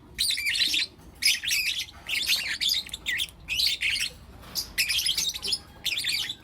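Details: Lutino lovebirds, four young birds, chirping in the morning: bursts of high, scratchy chatter lasting about half a second, separated by short pauses.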